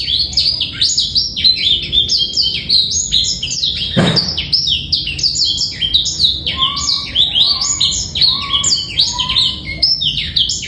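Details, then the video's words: Clear, trill-free master song of a male black-throated canary meant to stimulate young birds and females: a long, fast stream of bright, sliding notes, interrupted once by a short dull knock, with soft lower whistles later. "PANCINGAN DAN MASTERAN BURUNG BLACKTHROAT"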